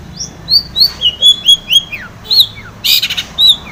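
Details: Long-tailed shrike in lively song to make a silent shrike answer: clear whistled notes, some rising then falling, others sliding down, in a quick irregular sequence broken by one short harsh burst.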